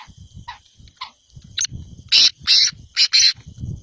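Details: Black francolin, the Sindhi kala teetar, calling: a few faint, short notes lead into four loud, harsh, grating bursts in quick pairs about half a second apart, over a low rumbling background.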